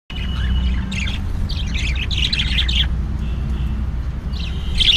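Budgerigars chatter in quick, scratchy chirps and warbles over a steady low hum.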